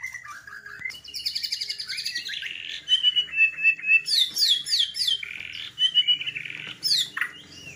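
A white-rumped shama sings a rich, varied song of loud whistles, rapid falling slurs and chattering phrases, packed with borrowed notes and delivered in quick bursts.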